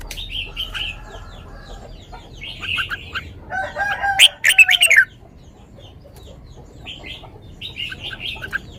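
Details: Red-whiskered bulbul singing the sweet 'lak wai' song style: short whistled, warbling phrases in scattered bursts, with a louder, denser run of rich notes midway, then quieter phrases again.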